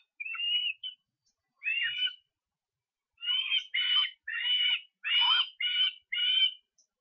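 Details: Osprey in Estonia, 23 August: drawn-out, high squealing whistles given singly, then in a closer-spaced run of about six strained notes.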